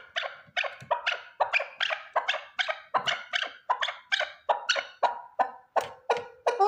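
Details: Loud, harsh, rhythmic clucking from one male chukar partridge, repeated about three times a second without pause, each note sharp-edged and raspy, suited to hunting use.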